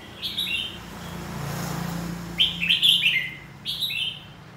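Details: A caged red-whiskered bulbul sings, with its cage cover open, short, bright whistled phrases that dip and warble, three bursts about a second apart, over a low steady hum.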